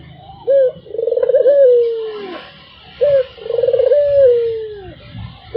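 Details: Barbary dove (puter) cooing nonstop: each phrase opens with a short clipped note, rolls into a pulsing trill, then draws out into a long falling coo, repeating about every two and a half seconds.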